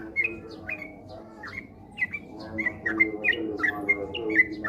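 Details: Sooty-headed bulbul in a lure recording used to coax a kept bird into rapid ropel song. Scattered short, slurred whistled notes quicken into a steady run of clear chirps, over a soft low background murmur.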